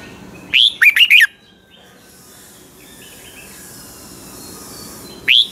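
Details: Red-whiskered bulbul from Pa La-u, Thailand, singing the doubled song style: a rising whistle followed by three quick burry notes, then a long pause before the next phrase begins.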